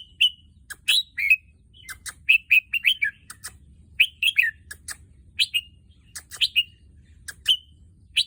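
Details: A year-plus-old caged red-whiskered bulbul used for breeding, with albino and pied offspring last year, delivers repeated bright, slurred whistled phrases in quick clusters between short pauses, interspersed with crisp clicking sounds.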